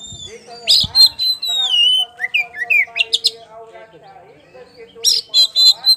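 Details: Kacer poci, an oriental magpie-robin, in ngeplong lure song: loud high whistles and falling slurs, then quieter lower warbled notes and a final burst of sharp chips; some faint background sound underneath.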